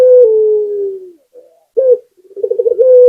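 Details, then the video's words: Loud, long coo from a local spotted dove that slides slowly down in pitch, followed by a short rough note and a rapid pulsing tremolo leading into a fresh sustained coo. "Suara Burung Puter Gacor"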